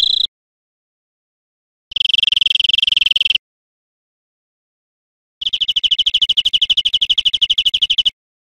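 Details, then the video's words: European greenfinch on an educational recording for caged birds: short bursts of a dense, fast, buzzy rattling trill, separated by silent gaps. "Canto Verderon cd educador"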